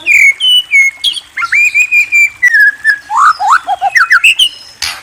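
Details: White-rumped shama song: long, even whistled notes at first, then fast rising and falling whistles and rapid chirped phrases, loud and clear throughout.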